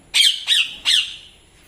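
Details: Three loud, grating squawks from a baby Indian ringneck parrot kept as a pet, delivered in quick succession about a third of a second apart, then quiet.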